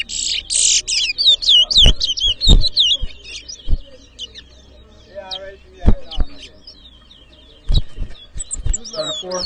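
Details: At a Guyanese bird whistling competition in Edinburgh Village, 2023, a chestnut-bellied seed finch opens with buzzy bursts and quick whistled slurs, then sings sparser high phrases amid crowd chatter and handling thumps.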